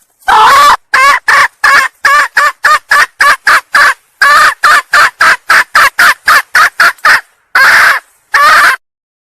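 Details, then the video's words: Female red junglefowl from Sumatra calling to attract males, delivering a rapid chattering series of some thirty short sharp cackles, a brief pause midway, then two slower final notes. "suara kokok ayam hutan betina pemikat ayam jantan"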